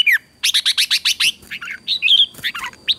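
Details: Red-whiskered bulbul in competition song used to train birds: a fast series of evenly spaced sharp chirps followed by tumbling, twisting warbled whistles.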